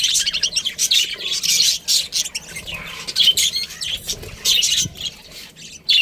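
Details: Pet budgerigar chirping: dense bursts of bright, scratchy twittering chirps coming in quick clusters, with short quiet gaps between the runs.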